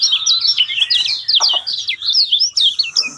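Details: Lemon-bellied white-eye (kecial kuning) song used as a lure to prompt a silent caged bird to sing: a fast, continuous high twittering of rapid sliding whistled notes with hardly a pause.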